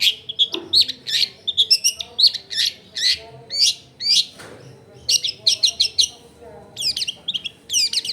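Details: Lively long-tailed shrike song meant to provoke other shrikes into singing: dense run of harsh, high chirps and rasping trills, grouped in bursts with short gaps.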